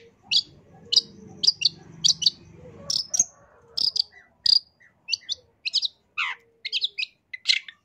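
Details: Long-tailed shrike singing a long, packed song meant as tutoring material: short, sharp, high chirps and clicks about every half second, later more varied slurred notes, over a faint low murmur early on.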